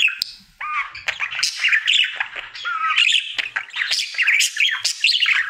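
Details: Happy pet budgie, a male, singing his daily routine: nearly continuous chatter of squawky notes, rising and falling whistled slurs and clicks, dense and fast after a brief opening pause.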